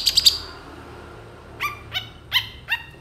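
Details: Long-tailed shrike song used as a lure recording: three quick high chips, a pause, then four spaced harmonic, slightly nasal notes falling in pitch.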